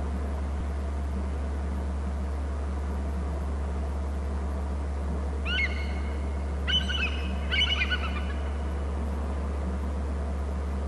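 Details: At an eagle nest and territory on Hornby Island, an eagle calls as an eagle flies low inland: three short bursts of thin, high, chattering notes about a second apart, over a steady low rumble of wind or distant engine.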